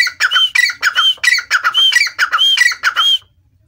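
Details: Grey francolin (teetar) giving a fast run of grating, squawking phrases laced with a brief clear whistle, roughly two per second, then stopping abruptly into silence near the end.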